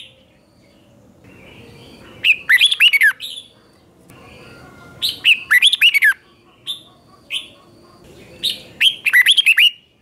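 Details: Red-whiskered bulbul singing its morning song to provoke other bulbuls: three bursts of rapid, looping whistled phrases spaced about three seconds apart, with a few soft chirps between.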